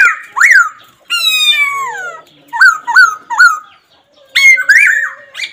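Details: Loud laughingthrush calls in a varied series: a harmonic upward slur, a long falling drawn-out note, three quick repeated hooked notes, then more rising and falling phrases, with nothing else clearly audible.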